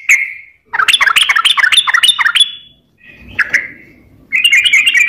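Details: Sooty-headed bulbul in full, active song, a lure meant to get reluctant or stressed birds singing: a fast burst of jumbled whistled notes, a pause, a short falling phrase, then more rapid bubbly notes.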